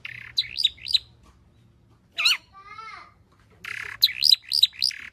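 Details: Long-tailed shrike in 'full isian' song, played to coax other shrikes into singing. Quick clusters of sharp chirps open and close the passage, with a short warbled, wavering phrase in the middle.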